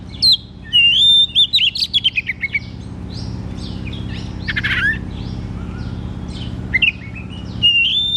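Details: Oriental magpie-robin singing in the loud ngeplong style, used to stimulate a young or reluctant bird to sing: loud whistled notes and rapid chirping trills in bursts, with a steady low hum underneath.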